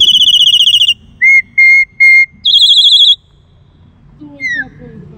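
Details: Black-collared starling song made of loud, pure whistles: a fast trilled high whistle, three evenly spaced flat whistles lower in pitch, another trilled whistle, then a softer downslurred note with faint low murmuring.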